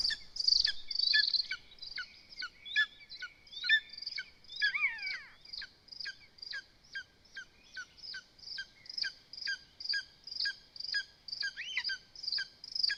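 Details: Lesser spotted eagle nest in Zemgale on a live camera during feeding, with the chicks pecking at the father as he brings food. A busy stream of high chips and yelps, with a few slurred descending squeals woven among them.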